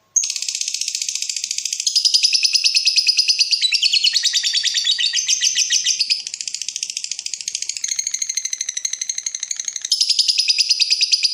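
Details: Lovebird in breeding mood calling to provoke a rival: an unbroken long rapid chattering trill lasting over eleven seconds, shifting pitch in segments, loud and buzzy throughout.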